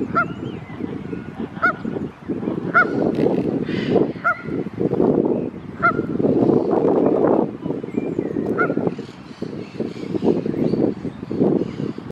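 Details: A female Canada goose, a mother with her goslings, gives short, nasal honks, singly or in pairs, roughly every one to three seconds, over a constant low rumble, signalling to the goslings as a dog on a lead approaches the family; Canada goose.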